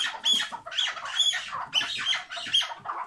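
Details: Tethered chukar partridge in a short hıngırma burst: six loud, grating squawks, each with a sharp squeaky tip, spaced roughly every half second.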